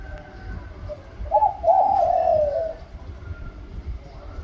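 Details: Spotted dove delivering a pa roi liu tan style song with a middle-rising voice: a quick double coo leading into a long wavering coo phrase that tapers off, with steady low rumble behind.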